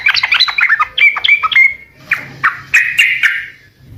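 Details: Sooty-headed bulbul in lively gacor song aimed at making other birds answer: a tumbling chatter of quick notes ending in a drawn-out tone, then a few separated sharp chirps.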